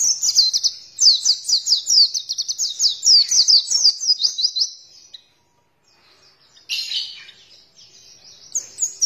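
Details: Oriental white-eye training song for stimulating birds to open their beaks and sing: a long, fast, high chattering twitter of about five seconds, then near silence and a few scattered thin chirps.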